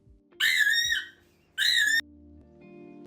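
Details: Grey parrot (Psittacus erithacus) giving two loud, harsh, nasal screeches about a second apart, each rising slightly then dropping, over soft background music.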